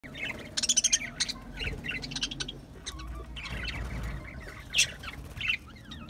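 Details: Budgerigars chattering: quick, scratchy high chirps and warbles in short bursts, with a louder rasping squawk near the end over a low background rumble.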